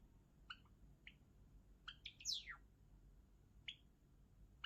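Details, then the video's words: Java sparrow: spaced clicking notes, a small cluster of ticks, and one loud, steeply dropping slur, with quiet gaps between. "文鳥のさえずり Java sparrow"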